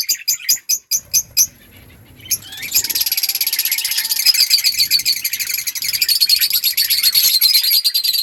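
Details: Budgerigars kept as a breeding colony call to each other: a handful of clipped, evenly spaced chirps at first, then after a short gap a long run of rapid, buzzy chatter repeated over two times a second.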